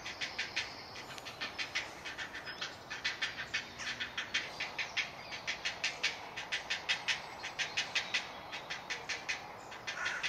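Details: Hungry great blue heron chick in a nesting colony in Delftse Hout woods, Delft, South Holland, the Netherlands, crying for food: a fast run of harsh, clicking pulses, several per second, through the whole stretch, with faint high birdsong behind.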